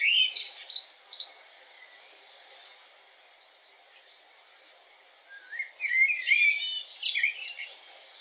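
A common blackbird gives two brief bursts of high, twittering and warbled notes, about five seconds apart, with a quiet pause between them.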